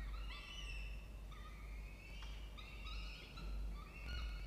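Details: Peregrine falcons at a water-tower nest box, Charles Sturt University, Orange, Australia, 07:21 on 16 October 2024. Repeated long harmonic wailing calls, some rising sharply at the start, about one per second, over persistent low-pitched machine-like hum.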